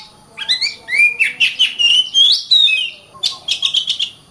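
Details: Kacer, or oriental magpie-robin, singing rising and falling whistled slurs with rapid clicking notes, then a pause and a quick series of high chips.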